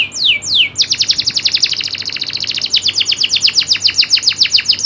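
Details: Indonesian local canary in full rolling song: two long descending whistles open into a rapid, even trill of sharp downslurred notes, bright and high, continuing without a break.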